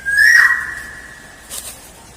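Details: Black-naped oriole lure sound: a single loud, clear whistle held level then fading slowly, followed by a faint rasp.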